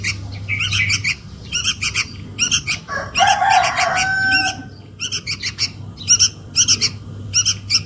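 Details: Sooty-headed bulbul chick calling for its mother, a lure call: rows of harsh buzzy chirps in short clusters, interrupted midway by a longer, lower, varied call from another bird.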